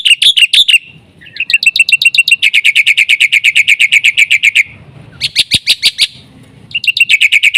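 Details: Black-winged myna in full, vigorous song for luring and training other mynas; a long, rapid, chattering string of sharp notes, about four per second, with a few harsher bursts and brief pauses of soft low noise.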